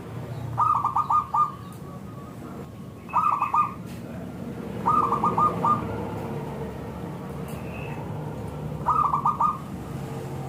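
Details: Local zebra dove, kept for its thick, crystal-clear voice, singing as a lure for other doves: four short bubbly phrases of rapid staccato coos, each about half a second, spaced two to four seconds apart.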